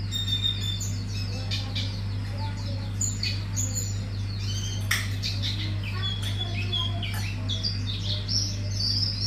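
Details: Hume's white-eye in a song style called wiksar bongkar isian: rapid high twittering of short chirps and thin whistles, with brief pauses, over a steady low electrical hum and faint clinks.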